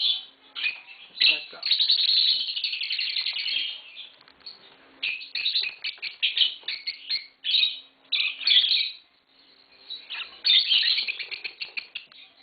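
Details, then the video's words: Two green Fischer's lovebirds produce long, sustained stretches of shrill twittering and rapid high chirps, continuous chatter broken by a few brief pauses across twelve seconds. "Lovebird Singing & Chirping Sounds - Green Fischer Pair"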